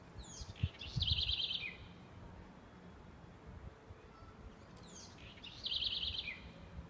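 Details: Southern house wren singing in Aracaju, Brazil: two phrases about five seconds apart, each opening with high descending sweeps, then a rapid rattling trill of repeated notes ending on a lower slurred note; soft low thumps and background hum.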